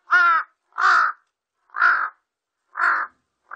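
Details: Large-billed crow, 2020 recording by the National Institute of Biological Resources: four rough, drawn-out caws at irregular intervals, the first clearer and more tonal, the rest grating and noisy, plus the onset of another.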